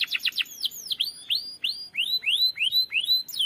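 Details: Canary in a long rolling ngerol song to coax another canary: a few quick downslurred notes, then clear rising whistles repeated at a steady pace of about three per second.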